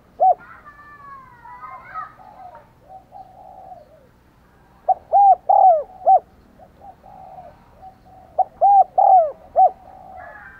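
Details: Spotted dove decoy calling wild doves: two mellow four-note coo phrases separated by a pause, each with two long arched middle notes; faint twittering of other birds early on.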